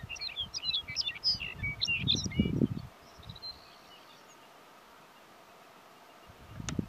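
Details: Lapland longspur (Calcarius lapponicus) on its summer tundra breeding grounds along Imnavait Creek, North Slope, Alaska, 2019: a quick, jumbled, tinkling warble of about three seconds, then a faint thin note, over low wind rumble.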